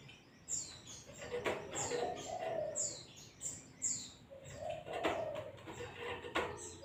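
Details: A white-eye in ngalas style for masteran gives repeated high, downslurred whistles about once a second, over lower, softer warbling phrases and occasional sharp ticks.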